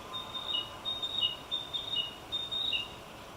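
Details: Narcissus flycatcher singing while foraging in 2018: a steady series of thin, high whistled notes alternating with slightly lower slurred phrases, repeated about every half second over faint background noise.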